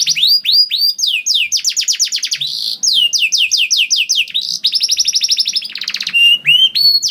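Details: Persistent canary song for prompting other canaries: repeated fast trills of falling high notes in varied bursts, with a buzzy rattling phrase and a short rising whistle near the end.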